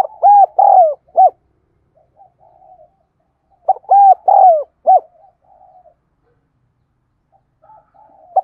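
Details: Spotted dove lure bird repeating its thúc gù gáy gọi call: two phrases, each of four to five rounded coos with a longer falling note, separated by soft low murmuring and silence.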